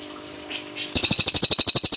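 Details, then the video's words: Cililin singing a burst-style tembakan song: after a quiet start, a rapid run of sharp, high, metallic notes repeated about ten times a second, steady and ringing, with no other sounds. "tembakan suara burung cililin dokor - suara burung berkicau"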